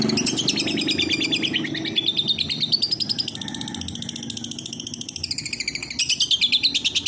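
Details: Long-tailed shrike (cendet) training song in one-track style: loud, dense, high chattering phrases of fast repeated notes, shifting pitch and pattern every second or two, almost without pause.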